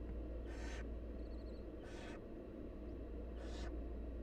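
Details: Barn owl nestlings, wild, begging as the mother brings food: three rasping hissed screeches roughly every one and a half seconds against constant low background rumble.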